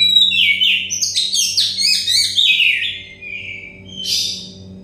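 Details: Oriental magpie-robin, song meant to get stressed or untrained birds singing: a continuous flowing run of loud, varied whistles sliding up and down with quick chirps, then a brief harsh burst, over a faint low hum.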